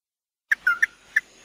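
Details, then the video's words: Brief tí nỉ phrase from a chim mắt đỏ (red-eyed bird): a sharp chip, a downslurred whistle, then a few separate clear notes. "Tiếng chim mắt đỏ tí nỉ chuẩn nhất"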